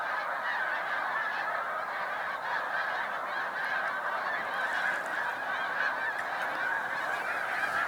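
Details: Snow Geese gathered in big flocks at a spring migration stopover on Cayuga Lake, New York, 20 March 2021, produce an unbroken wall of overlapping honks, with a few louder nasal calls standing out late on.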